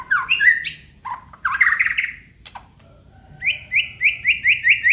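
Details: Aceh white-rumped shama: rising whistled phrases and a rich warble, a pause, then a string of six even, slurred whistles repeated about every third of a second; low hum throughout.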